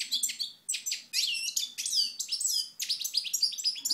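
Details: European goldfinch in Moknine, Tunisia, 2012, singing in the sun: quick jangling twitter of sharp chirps and down-slurred whistles, phrases separated by short breaks.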